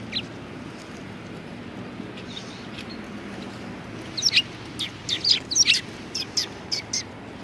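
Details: At a Tenmangu shrine in February 2020, a few faint chirps give way to a lively run of high, clipped sparrow notes in the second half, over soft steady background noise.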